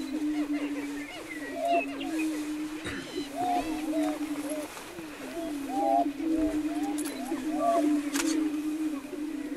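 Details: Many greater prairie-chickens on a lek close to Wray, Colorado, April 2011: deep humming booms overlap throughout, with bursts of hooked cackling calls coming in clusters every few seconds.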